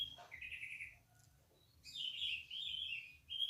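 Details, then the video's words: Orange-headed thrush singing in the Indonesian 'ngeplong' style: a short rising trill, a quiet gap, then a long rich warbling phrase ending in a sharp high note. "PASTOL NGEPLONG NGOTOT"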